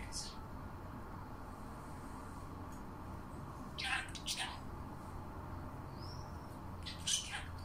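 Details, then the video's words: A pet parrot imitates coughing with a few harsh, breathy bursts, one near the start, then a quick pair and a single later, over a low steady hum. "Попугай повторяет кашель"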